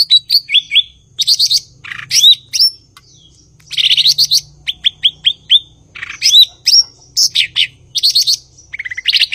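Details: Energetic cucak ijo (blue-winged leafbird) song of high chirps, repeated short downslurred whistles in quick series and rasping buzzy notes, over a faint low hum in the background.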